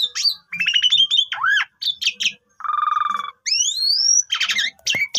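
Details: Asian pied starling, long-phrased pumping song used as a lure: rising and falling slurred whistles, a low steady buzz, a long upslurred whistle and harsh bursts at the end.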